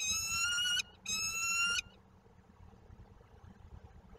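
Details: Peregrine falcon at a nest in Koszalin, Poland, mid-March 2022: two loud, grating, slightly rising wail notes in quick succession, then only low background rumble.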